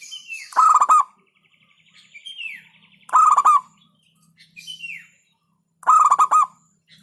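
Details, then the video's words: Repeated 'hentakan' song of a local zebra dove. Three rolling coo bursts arrive roughly every two and a half seconds, each preceded by a thin falling whistle, over a faint low hum. "Hentakan Burung Perkutut LOKAL Suaranya Berkelas"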